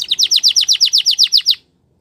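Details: Belgian canary training song: about twelve identical high notes, each sweeping downward, repeated in an evenly paced roll lasting under two seconds, then silence.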